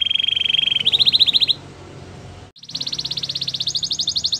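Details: Belgian canary training song made of fast even trills on a high note, a brief pause with faint hiss, then a long bright rolling trill resuming.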